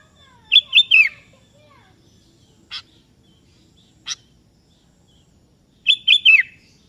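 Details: Two bubbly whistled phrases of a sooty-headed bulbul, kebo type, calling a rival that replies, each three rapid liquid notes dropping at the close, separated by two sharp chips.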